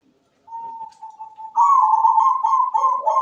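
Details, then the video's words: Zebra dove (perkutut), an actively singing bird with a sweet voice, perched and singing with good rhythm: a steady whistled note, then a loud, rolling, vibrating coo held for nearly two seconds. "PERKUTUT GACOR SUARA MERDU"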